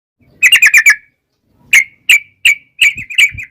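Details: Yellow-vented bulbul in lively 'ropel panjang' style, used as a lure so wild birds answer: a fast burst of five bubbly chirps, then single sharp chirps and a short chattering run after pauses.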